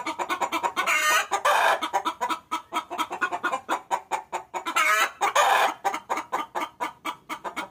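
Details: Female chicken calling the male, a lure recording for hobbyists: continuous rapid clucks interrupted by two loud, drawn-out cackling outbursts, one early and one past the middle.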